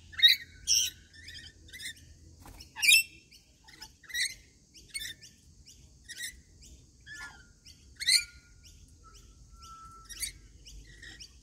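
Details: Several rainbow lorikeets chatter during daily feeding, with loud grating screeches, quick twittering notes and a thin whistled tone near the end, over a quiet background.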